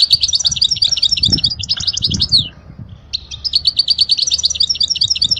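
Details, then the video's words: European goldfinch song for teaching young goldfinches: a fast, continuous liquid twittering of high tinkling notes, broken by one brief pause before the rapid chatter resumes. "اجمل غناء لتعليم صغار الحسون"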